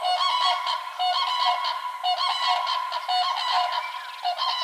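Common Cranes give loud, rolling trumpeting calls. Several birds overlap in a steady, almost continuous chorus, with harsh, honking notes rising and falling.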